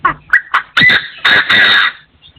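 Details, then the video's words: Partridge crowing, recorded in 2024: a few short harsh notes building into two long, loud, grating rasps, with a faint low hum underneath. "The latest sound of partridges in 2024 crowing"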